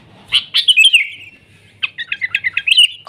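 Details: Sooty-headed bulbul recorded in nature, singing lively 'gacor' song: two sharp notes running into a descending warbled phrase, then a quick stuttering series of bubbly chirps.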